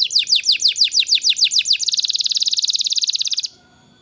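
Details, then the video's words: Canary in song, played as a tutor for young birds: a string of sharp, falling whistled notes followed by a fast, rattling high trill lasting nearly two seconds, then quiet. "Burung kenari gacor cocok untuk MERANGSANG kenari bahan agar cepat gacor"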